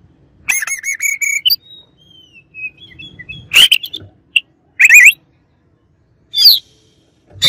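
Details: Oriental magpie-robin singing as a rival bird: a run of rapid, rich harmonic notes, then thin high whistled slurs, followed by separate loud bursts of rising buzzy notes with short pauses between them.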